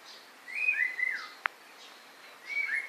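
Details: Clear whistled phrases from a white-rumped shama: two slurred, gliding notes, then a sharp click, a pause, and a repeat of the whistled phrase.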